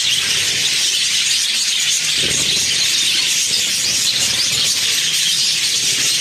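Budgerigars keep up a dense, high-pitched chatter of squeaks and warbles without pause.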